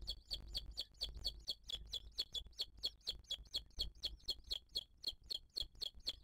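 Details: Booted eagle at a nest filmed by a live camera in 2023, the female feeding her chick while other birds attack her; high, sharp chirping notes repeated steadily about twice a second throughout, each with a short downward twist.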